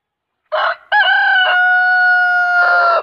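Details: Huge rooster crowing nonstop: a short harsh opening note, a brief gap, then a loud, long, steady harmonic crow held for about two seconds and ending in a rougher burst.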